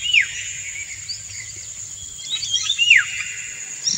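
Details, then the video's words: Indian golden oriole male singing a courtship song to a female who dances to it; two clear descending whistled slurs, one at the start and one near the end, with softer notes between over a steady high insect drone. "Indian Golden Oriole - An Uncut Courtship Session"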